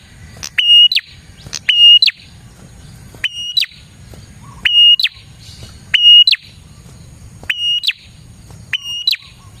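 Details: Prinia song meant to draw in wild prinias. A repeated high whistled phrase opens with a click, holds one steady pitch and ends in descending notes. Seven phrases are heard, with low murmur between them.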